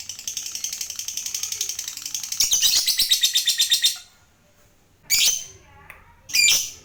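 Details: Lovebird of the fighter type giving a long ngekek trill, used to prompt other lovebirds to trill: a rapid, high, rattling chatter for about four seconds, then two short sharp bursts.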